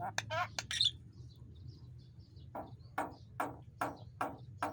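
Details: Javan myna song: rapid harsh chattering bursts and a high squeak, a pause, then a regular run of short rasping clicks about twice a second over low background hum.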